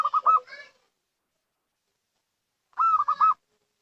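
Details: Local zebra dove lure call heard as two brief loud rolling phrases of rapid coos, separated by more than two seconds of silence.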